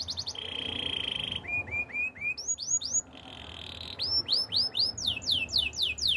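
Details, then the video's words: Canary delivering a training song: a short high trill, a steady low buzzing roll, then clusters of rising and falling whistled notes that quicken into a loud repeated sweep near the end. "Canary birds sounds!! The best canary training song"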